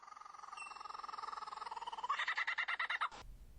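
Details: Male superb lyrebird singing on a cleared patch of forest floor to attract a female, mimicking a laughing kookaburra: rapid hooting notes that quicken and swell into loud, raucous chuckles, ending with a dull thump.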